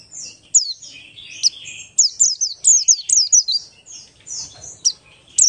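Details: Lure song in ngalas style from a buxtoni Oriental white-eye, meant to make other white-eyes sing. A lively, continuous stream of high, slurred whistles and twitters, with irregular sharp downward notes throughout.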